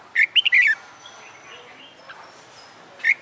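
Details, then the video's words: Red-whiskered bulbul in a cage, trained for fighting song, utters a rapid warbled phrase, then pauses about two seconds before a single bright note, with faint background sounds in between. "Luyện Chào Mào Hót Đấu"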